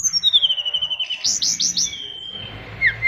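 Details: Oriental magpie-robin in captivity, fighter type, singing a fill-rich song: a long falling whistle, then four quick upward-sweeping chirps and a steady whistled note ending in short slurred notes.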